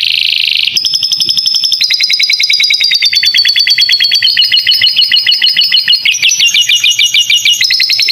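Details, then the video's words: Canary tutor song with lovebird-style fill for young birds: after a short buzzy opening, a long series of rapid high trills steps through several phrases, each a fast repeat of ringing notes at a slightly different pitch. "Masteran kenari isian lovebird,durasi panjang cocok untuk paud"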